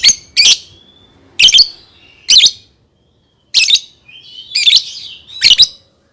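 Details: Lovebird singing, kept to teach young birds to sing: harsh high chirps, some doubled, separated by short gaps of thin whistled notes and soft chatter.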